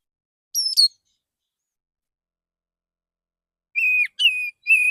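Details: Male Oriental magpie-robin in the morning, calling other magpie-robins with relaxed song: a short high two-part whistle, a long pause, then three level whistled notes in quick succession.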